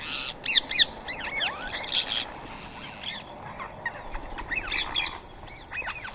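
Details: Rose-ringed parakeets eating soaked boiled rice at 7 AM in Coimbatore, India, 31 March 2024. Quick curved chirps and squeaks pour from several birds, with two short shrill bursts early and steady twittering chatter throughout.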